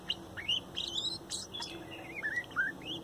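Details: A young male chick from a 2019 nesting sings a soft, complex morning song of short rising and falling whistled notes and twitters, quiet against a light background hum.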